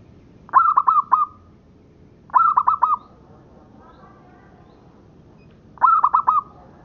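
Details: Zebra dove of a local strain singing for training captive doves: three mellow, hollow phrases of four staccato coos ending in a held note, each phrase spaced about two seconds apart.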